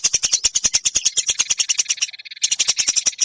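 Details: Rapid, harsh, pulsing chatter from a Eurasian tree sparrow in a songbird training recording, briefly easing into a softer buzzy trill before loud chattering returns.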